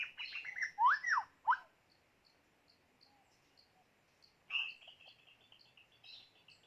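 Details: White-rumped shama kept as a decoy for bird trapping, giving a quick phrase of slurred rising whistles, a quiet gap with faint ticks, then a higher warbled phrase fading into soft notes.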